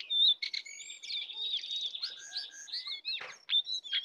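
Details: Wild sooty-headed bulbul against a caged sooty-headed bulbul, full song; a bright whistled opening, then flowing chattered phrases and slurred notes, a short noisy rush near the end.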